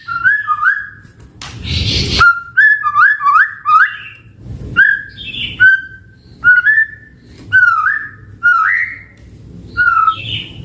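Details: White-rumped shama singing short rich whistled phrases, each swooping up and down, spaced roughly one per second, interrupted early by a brief loud hiss-like noise.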